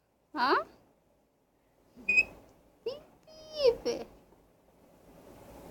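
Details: Talking Indian ringneck parakeet, a Pakistani pet parrot, gives four short speech-like harmonic utterances with sliding pitch, at about half a second, two, three and nearly four seconds, with near silence between them.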